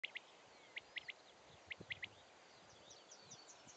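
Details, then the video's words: Common quail giving its mating call on 21 June 2011, with another quail answering in the background: three crisp, short, high notes repeated three times in quick succession, each triplet under a second apart, over a faint rural noise floor. "WACHTELSCHLAG - BALZRUF DER WACHTEL (Coturnix coturnix)"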